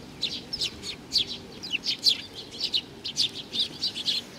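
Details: Sparrows arriving to be fed at a shrine in Nakanoshima, 7 June 2020: steady bright chirps about three to four a second, several birds calling, over a soft low rumble.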